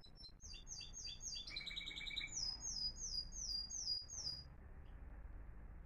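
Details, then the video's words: Three timbrado canaries performing Florealdo song in 2021, heard as a fast rattling trill that shifts into a series of high sweeping notes repeated several times a second before fading out against low room noise. "سنفونية رائعة لطيور تيمبرادو فلوريالدو"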